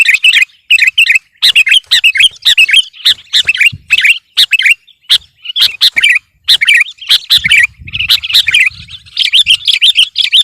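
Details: Sooty-headed bulbul singing hard to outdo rival birds: dense, continuous run of bright chirping phrases, short bubbly notes tumbling one after another with almost no gaps.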